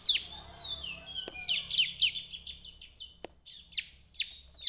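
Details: Bar-winged prinia singing, recorded for use as a lure to stir other prinias into song: thin, sweeping whistles and scattered sharp chirps, with a few clicks, ending in louder spaced high notes.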